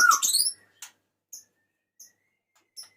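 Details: Male white-rumped shama calling the female: a loud burst of rich, rapid warbled notes, then a few short, sharp high clicks spaced about half a second apart.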